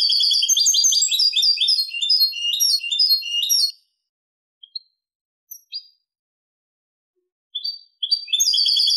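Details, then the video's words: Clean-style 'limpio' song of a European goldfinch, 2023: a long rapid burst of jangling, twittered high notes, then quiet with a few single chirps, then the fast tinkling warble starting again. "canto del jilguero limpio"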